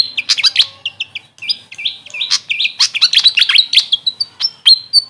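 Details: Grey fantail, whose local name is Maria Capra, delivering a busy stream of high, squeaky, zigzagging chirps and short slurred whistles with barely any pauses.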